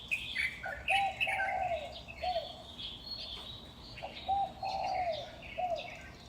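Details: Several birds singing at dawn around 5:25 am in May 2019 in Huanan New Village, Taipei, Taiwan, perched on utility poles: repeated short slurred whistles in two-note phrases beneath higher, thin chirps and twittering.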